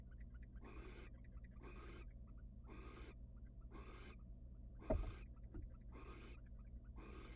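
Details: Wild barn owl at a monitored nest box: a male returns without food and the female is uninterested and turns her back. Harsh, breathy hissing bursts are repeated about once a second, seven in all, over a low steady hum, with one brief knock.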